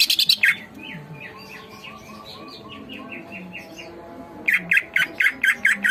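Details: Greater green leafbird (cucak ijo) singing: a quick loud chatter, then a long soft sequence of sweet whistled looping notes, ending with a row of strong clipped whistles.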